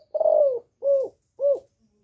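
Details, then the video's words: A female spotted dove calling, recorded to stimulate males, gives three soft, hollow coos, the first longer and the next two short and evenly spaced, low-pitched and slightly arched; nothing else is heard. "Tiếng Cu MÁI GÁY GỌI. Kêu ổ kích trống căng lửa, tiếng cu đất mái"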